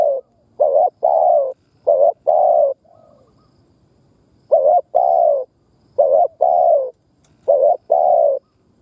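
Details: Spotted dove, a recording used to stimulate and lure doves: repeated low, throaty coo phrases, each a couple of short hollow notes then a longer drawn-out coo, four phrases with short pauses between.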